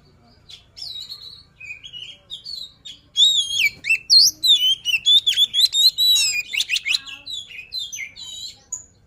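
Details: White-rumped shama luring song: soft opening whistles building into a long, loud sequence of varied fluty notes, warbles and quick upward sweeps, fading toward the end.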